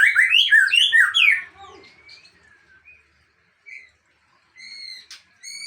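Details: Aceh white-rumped shama delivering mimicked phrases; an opening burst of loud, dense whistled and chattering notes, then near silence broken by a few thin whistles and short high buzzy notes.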